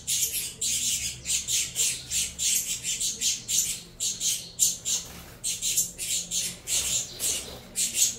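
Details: Captive saffron finch chicks from a Venezuela cross clamouring to be fed: insistent harsh, raspy squawks in quick rhythmic pulses, about two to three per second, steady throughout with short pauses.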